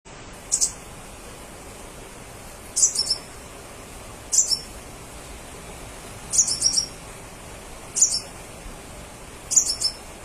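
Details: Crimson sunbird singing energetically, a recording meant to make other crimson sunbirds answer: very high, thin chirpy bursts of two or three quick notes, repeated about every one and a half to two seconds over a steady hiss.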